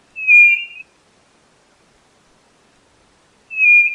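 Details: Two long level whistles from a white-bellied nothura, the first lasting over half a second, the second starting after about three seconds of silence.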